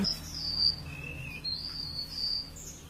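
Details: A bird sings loudly, giving thin, drawn-out high whistles that are mostly level with slight slides, plus one lower wavering phrase, over a low steady hum.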